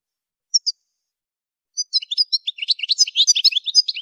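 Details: European goldfinch singing, a female per the description, used for training songbirds: two thin high notes, a pause, then a rapid stream of bright, tinkling twitters and buzzy trills that grows denser and louder.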